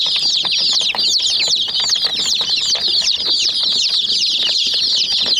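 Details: Domestic chicken chicks crowd a white mini jeep toy and peck at it, calling nonstop in a high, thin chorus of quick descending cheeps, closely packed, with soft knocking sounds underneath.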